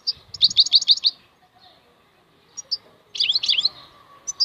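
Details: European goldfinch singing khalwi: a rapid string of six bright chirps, a pause with scattered high tweets, then a denser twittering burst, in a quiet setting.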